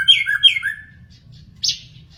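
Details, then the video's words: Wild magpie-robin giving two quick whistled phrases that drop in pitch, then a brief harsh rasping note after a pause, with a faint low hum behind. "burung murai di alam liar"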